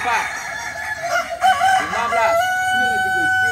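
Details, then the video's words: Balenggek chickens (kukuak balenggek) in the landiak class of a Sunday crowing contest at Ampang Kualo, Solok city: a chorus of overlapping crows, then one long steady sustained crow note ringing out over the other birds. "Kontes Ayam kukuak balenggek"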